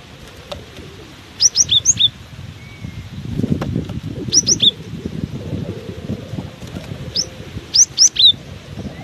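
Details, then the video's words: Cinereous tit keeps singing loudly despite strong wind: three short bursts of high, sharp whistled notes, each burst of four or five quick slurred chirps, over a steady low roar of wind gusts. "Diterpa angin kencang! burung gelatik batu ini tetap gacor"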